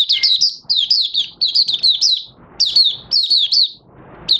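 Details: Caged oriental white-eye beginning to sing on 25 August 2022 after three months of open-cover and night sleep training: dense, loud phrases of high twittering, down-slurred notes, three or four per group with short gaps.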